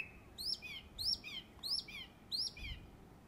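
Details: In West Cornwall, England, a song thrush gives its summer song: a high, descending double-noted phrase repeated four times, about every 0.6 seconds, clean and ringing.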